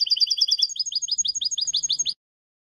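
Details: Song of a European goldfinch, intended for tutoring young goldfinches: a quick run of repeated twittering notes, shifting into slightly lower and faster rolling phrases. A faint low hum sits beneath.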